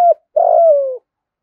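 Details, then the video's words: {'caption': 'Spotted dove used as a lure bird, cooing: a short low note then a longer hoarse, steady coo slowly falling in pitch at the end, clean with no other sounds.'} "cu gáy thúc gù giọng thổ đủ bài giọng hay"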